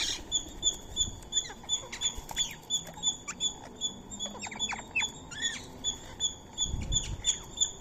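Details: Feeding Indian ringneck parrots, sharing soaked rice and corn meal with a squirrel, utter short harsh arched calls in loose clusters, while a thin, quick repeated high chip continues in the background and soft rustling sounds near the end.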